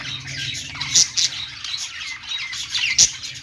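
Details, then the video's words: Pet budgerigars singing on a perch: a dense, scratchy chatter of rapid chirps and warbles, with two sharp, loud squawks near the start and end and a faint low hum underneath. "budgies singing on perch"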